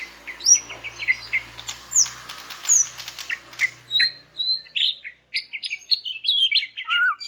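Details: Greater green leafbird (cucak ijo), the female's call to males, meant to make silent males reply: mixed sharp chips and high slurred whistles over a steady low hum, then clearer whistled phrases falling at the close.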